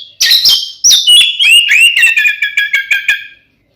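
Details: Oriental magpie-robin (kacer) delivering fighting song to provoke rivals: opening buzzy high notes slide down into a steady series of about ten repeated chirping notes with clicks, fading at the end.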